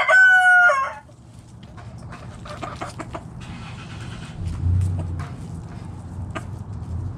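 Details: Backyard chickens foraging in the morning: the tail of a loud rooster crow opens, then scattered quiet clucks with a rumbling vehicle passing in the background.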